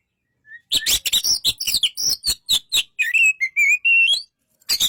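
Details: White-rumped shama song opening with rapid harsh notes, then a clear whistled wavering phrase rising and falling, ending with a rising whistle.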